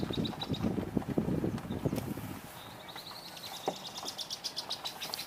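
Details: Red-winged Blackbirds at a pond on a trail walk, 5/6/2023, after the visitor center had closed for the day, give thin, high notes and short repeated chips, faint behind low rumbling wind and handling noise at first, then clearer in a quieter stretch.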